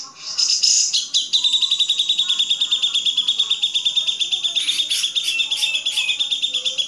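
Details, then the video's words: Grey-cheeked bulbul singing clearly, recorded as a master for training cage songbirds; a fast, high, pulsed trill runs almost throughout, ending with a few sharper varied notes. "Masteran Cucak Jenggot"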